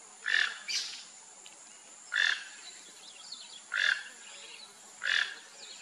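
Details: Rufous-tailed jacamar calling with four sharp, squeaky notes at irregular intervals of one to two seconds, the first followed closely by a softer higher note; light steady hiss throughout.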